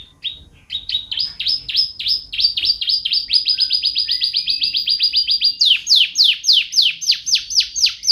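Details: Canary in song, a long fast trill of short repeated notes, shifting into a steadier rapid pulse before breaking into loud, bright downward-slurred notes near the end.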